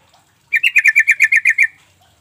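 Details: Sooty-headed Bulbul call played as a lure so that quiet birds respond: a clean string of about nine quick, ringing chatter notes at one steady pitch, with only faint background noise.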